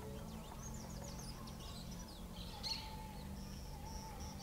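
Rufous-tailed jacamar giving thin, high chirps and short sharp notes, then a few sustained high whistles, over a steady low drone that may be music.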